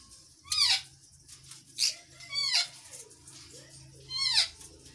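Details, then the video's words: Rose-ringed parakeets kept in a captive colony collection: four loud, shrill screeching calls, each sweeping sharply downward with bright harmonics, spaced irregularly across five seconds over a low, steady background hum. "Ringneck Colony Ringneck Collection"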